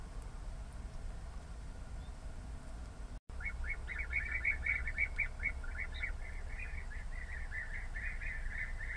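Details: European bee-eaters starting a run of quick purring rolled calls after a brief silence, several overlapping notes repeated nearly twice a second, with low background noise.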